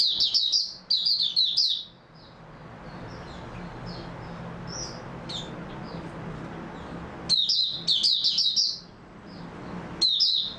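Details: Mata puteh (white-eye) recorded 3 March 2022: loud bursts of high, rapid twittering at the start and end, with scattered quieter single chirps in between.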